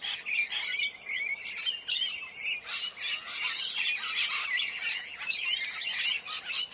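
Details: Harsh, rasping squawks of a ringneck parrot follow one another almost without pause, some short and clipped, others drawn out and screechy.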